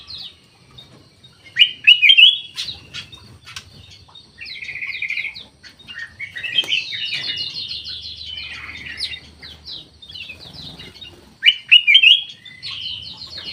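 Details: Black-naped oriole (kutilang emas) kept in an Indonesian aviary: a clear looping fluted phrase near the start and a similar one near the end, with long stretches of rapid high chirps and twittering from other birds in between.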